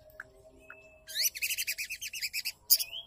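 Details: Female white-rumped shama call for stimulating a male to sing: two faint chips, then a loud, fast rattle of about a dozen quick repeated notes, followed by a short rising whistle.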